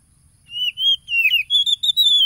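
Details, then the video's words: Oriental magpie-robin, recorded on a phone on Saturday 30 July 2022 at Tulus Rejo village, East Lampung, Indonesia, as a lure to rouse a caged bird. A string of clear, slurred whistles, some rising and some dipping, after a quiet start. "PANCINGAN SUARA KACER AGAR EMOSI"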